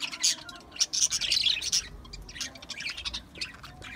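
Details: High-pitched budgerigar warbling and chirping, energetic and scratchy in the first two seconds, then softer, sparser twitters.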